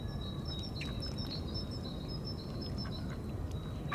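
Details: Rapid run of faint, high whistling notes from a tufted duck giving its mating call, with a sustained thin tone underneath and a strong low roar of wind or water throughout.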